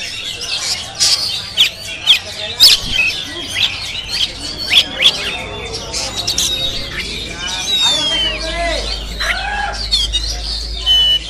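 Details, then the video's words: Kacer moncong, an Oriental magpie-robin, performing at a practice bird contest in Sambas, recorded on an action camera: rapid sequences of chirps, rising and falling whistles and rasping squawks, with faint voices and a low hum behind. "Suara Burung Kacer Moncong"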